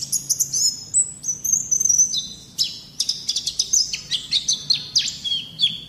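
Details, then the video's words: White-eye training song for young birds: quick high chirps, a short level whistle, then a dense jumble of downslurred twittering notes to the end. "Terapi Masteran Terbukti Ampuh Mancing Bunyi Pleci Bakalan"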